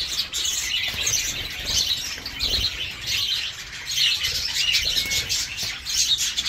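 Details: Caged breeding budgerigars of the Dutch type during fledging, when hens resume laying; thick continuous high-pitched twittering and warbles from many birds, with some wingbeat rustles underneath.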